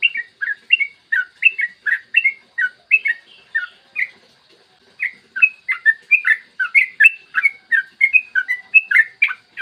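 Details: Yellow-vented bulbul delivering a long ropel song in a clear morning master track meant to set other bulbuls singing: rhythmic bubbly whistled notes, a quiet gap around four and a half seconds, then a faster, busier warbling run.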